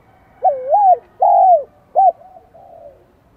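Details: Spotted dove in Vietnam with the high-pitched 'son' voice style, just starting to be stirred by a decoy bird: a loud three-part coo, a wavering note, a long falling note and a short clipped note, then a faint trailing coo.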